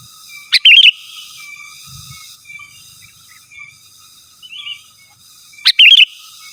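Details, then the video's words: Sooty-headed bulbul in vigorous natural song, calling rivals: two short liquid warbled phrases about five seconds apart, each begun with a sharp note, faint softer notes in the quiet between. "Suara Burung KUTILANG GACOR Asli Tanpa ISIAN Ampun Untuk Suara Panggilan dan Masteran"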